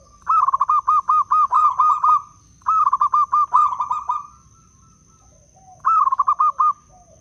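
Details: Local wild zebra dove from Blora, Indonesia, with a clear 'crystal' voice used as a lure. Rapid staccato series of bright cooing notes run into a rolling trill, repeated in three phrases over a faint steady hum.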